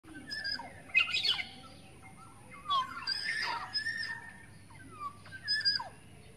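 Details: Wild black-naped oriole in forest, a lure call recording: short liquid whistles sliding downward, with bursts of harsh, scratchy notes around one second and near three seconds, then quieter whistled slurs toward the end.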